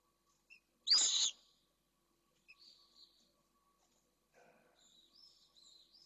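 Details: Pallid swift in a nest box at Jerez de la Frontera, Spain. A male with the first egg just laid defends the nest against an intruding swift. One loud, harsh, buzzy scream, then faint thin high notes and soft scuffling.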